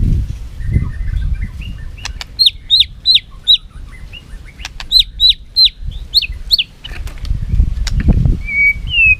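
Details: White-rumped shama in a singing contest, flicking its tail, giving quick runs of high, hooked notes that drop sharply at the end, in two bursts separated by a pause, with faint whistles and a low rumble.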